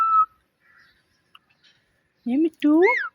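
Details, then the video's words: Pet talking parrot mimicking words and meowing: one short clear whistle at the start, a quiet pause, then two loud harmonic meow-like calls close together at the end. "Cute Talking Parrot Video"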